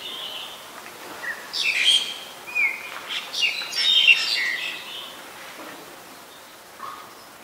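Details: Black-collared starling, Ubon Ratchathani, Thailand, recorded 25 December 2019; a short sequence of harsh, squeaky screeches with a few clear whistled slurs, fading into quiet at the end.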